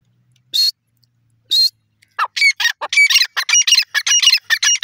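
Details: Female grey francolin (teetar) calling: two isolated sharp, high notes a second apart, then a loud rapid burst of harsh, scratchy, repeated notes, several per second, in an otherwise quiet setting.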